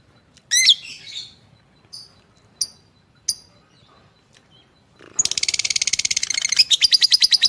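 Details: Fighter lovebird in full 'gacor' voice, a master recording for training other lovebirds: a few short, sharp high chirps spaced apart, then a sudden dense run of fast, buzzy, rattling chatter repeated many times a second.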